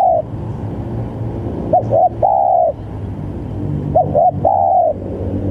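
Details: Very vocal spotted dove used to provoke opponents: the end of one coo, then two phrases each of two short stuttered notes and a long steady coo, about two seconds apart, with low rumble beneath.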